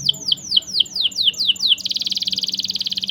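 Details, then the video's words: Canary song in the long-rolling 'ngerol panjang' style, used as a tutor recording to prompt silent canaries or teach young ones: high downslurred whistles repeated about four per second, then a fast, even, buzzing trill. "CUIT CUIT NGEROL PANJANG. COCOK UNTUK MASTERAN MAUPUN PANCINGAN BURUNG KENARI MACET ATAUPUN PAUD"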